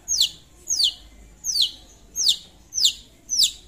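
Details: Long-tailed shrike singing vigorously to call a rival: six loud, high, steeply falling whistled sweeps, evenly spaced about every half second.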